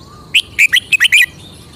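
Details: A caged red-whiskered bulbul delivers a lively phrase of six rapid, bright, rolling notes, each a sharp warble, with a faint thin whistle from another bird heard just before.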